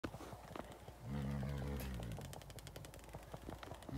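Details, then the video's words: Male ostrich at a wildlife encounter near Victoria Falls, displaying to an uninterested female during his mating dance: one deep, buzzing, harmonic rumble lasting about a second amid rustling and clicks. "Ostrich mating dance"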